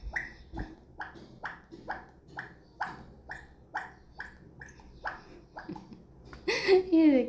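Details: A talking parrot imitates the sound of falling water with hollow plops, about three per second for six seconds. A short burst of a person's voice follows at the end.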